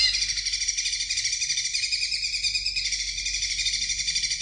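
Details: Greater green leafbird song played to get young birds singing: a continuous, dense, high chattering rasp with a fast, steady pulsing rhythm and no breaks for the whole stretch.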